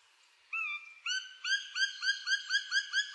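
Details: Black woodpecker (Dryocopus martius) call: one drawn-out, nasal note, then a fast, ringing series of short, downslurred notes, about five per second.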